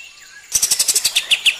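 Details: Kapas tembak song used as a master recording for training other birds: after half a second of near quiet, a rapid run of about twelve sharp, high chirps, roughly seven per second, the last notes slurring downward.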